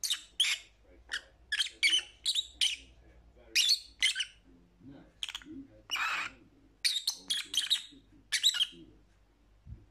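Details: Lovebird giving a steady stream of shrill squawks and chirps, short bursts roughly every half second with brief pauses, some harsher rasping notes mixed in, and a soft low rumble in the background.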